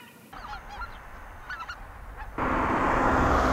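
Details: In a Japanese bird record from Reiwa 5 (2023), Greater White-fronted Geese give a few high, yelping two-part honks in quick bursts, then a loud rush of wind or traffic noise takes over.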